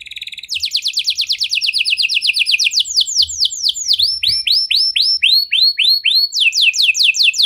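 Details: Canary with the 'cengkok mewah' luxurious song style, used to prompt other canaries into song: a rapid dense trill leading into slower, swooping, arched whistled notes, repeated steadily, then a sudden switch back to quick high trilling.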